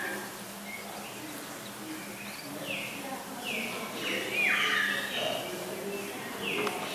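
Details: A lesser whistling duck (Dendrocygna javanica) pair with ducklings in an aviary at Vogelpark Walsrode, Germany, gives short, clear whistled notes, some slurred up or down, at an uneven pace over a steady low hum.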